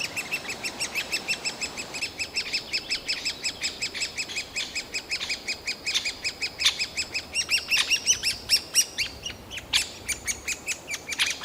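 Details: Fledgling-age great spotted woodpecker chicks in a nest hole, begging loudly as a parent brings food, in a forest park in Yekaterinburg on 28 June 2018; shrill, harsh chirps repeated rapidly and steadily, stacked with bright overtones, about 80 per minute.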